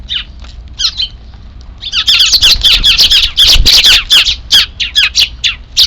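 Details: Half-wild sparrow chicks begging, unseen, just before an evening feeding on 3 April 2024: harsh squawking chirps, a few scattered at first, then a dense burst of about four per second.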